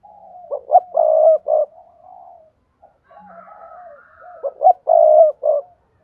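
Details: Spotted dove lure call played to prompt silent doves to coo: a phrase of short hooting notes and a longer mellow coo is repeated twice, with faint higher chirps between the phrases.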